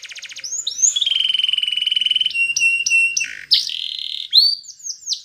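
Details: Domestic canary song meant for teaching other canaries: opens with a fast rattle, moves into a long steady buzzy note, then clipped high whistles and downward-sliding phrases.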